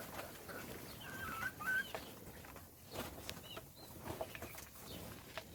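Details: Chicks at feeding time: a short run of high, piping chirps near the start, then sparse peeps among sharp tapping and scratching noises.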